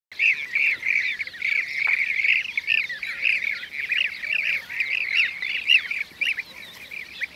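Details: Blue-cheeked bee-eaters in Şanlıurfa, Turkey, 2016: a dense chorus of short, rolling, slightly buzzy notes, overlapping and repeated without pause, as several birds call together.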